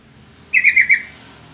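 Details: Yellow-vented bulbul giving a short rippling call of three connected notes, about half a second long, used to lure other bulbuls into answering; background otherwise quiet.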